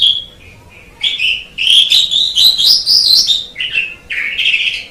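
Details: Asian pied starling singing on a masteran recording: a high thin whistle, then a busy sequence of squeaky, chattering notes rising and falling, broken by short pauses.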